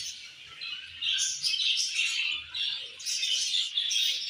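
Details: Budgerigars chattering continuously, many overlapping high scratchy chirps and warbling notes rising and falling in loud waves.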